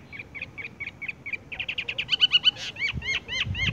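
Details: Horsfield's bush lark singing in the style called tung roll gantung langsung ngerol: short chirped notes repeated about five times a second, then a faster run of rising and falling slurred whistles with a soft low rumble beneath.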